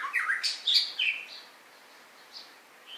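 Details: White-rumped shama delivering a short, rich, tumbling phrase of loud rising and falling whistles, then a few soft high notes trailing off.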